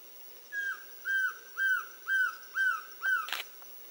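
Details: Black-throated trogon at Reserva Yaguaroundi, Fracrán, Misiones, recorded 31 July 2015; a series of six mellow, slightly down-slurred hooting notes about two per second, ending with a sharp click.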